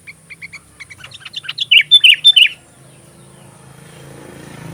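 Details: Sooty-headed bulbul (kutilang) song for magpie robin filler training: spaced short chirps build into four loud, bubbly whistled phrases, then the bird falls silent as a low rumble, like a passing vehicle, swells.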